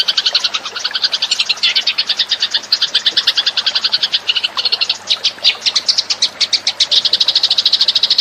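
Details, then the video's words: Recorded as a lure, Eurasian tree sparrows give an unbroken, dense chatter of quick, bright chirps, many voices overlapping at high pitch throughout. "suara pikat burung gereja"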